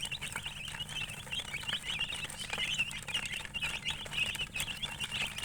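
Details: Many high, wavering chicken peeps overlap in a busy chorus near a colored hen, over a constant low hum.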